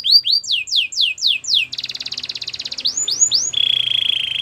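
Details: Belgian canary song used for training: runs of rapid descending whistled sweeps, a buzzy rolling trill near the middle, more swept notes, then a steady high rattling trill.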